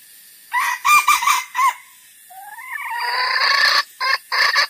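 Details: Lure recording of red junglefowl for trapping: a few loud, harsh clucks, a pause, a rising drawn-out squawk that builds into a long cackle, then two final clucks.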